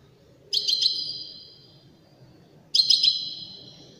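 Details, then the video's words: Widani goldfinch song: two short sharp chirping bursts about two seconds apart, each trailing into a sustained high tone that slowly fades, with soft low background noise. "تغريد رائع أناقة في الأداء طائر الحسون الويداني"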